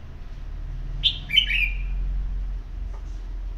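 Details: Red-whiskered bulbul, one of a pair nearly three years old that is currently moulting, gives one short, bright whistled phrase of a few quick notes slurring downward, over a steady low hum.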